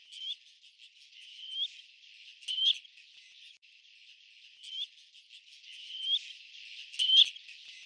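Black-necked grebe giving short, high, rising whistles every second or two, with a couple of sharper clicks and a steady high hiss behind.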